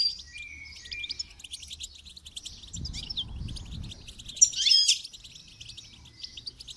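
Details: Goldfinch twittering for song training, with an unbroken stream of high, rapid chirps and trills, a soft low rumble in the middle and a sharp bright flourish toward the end.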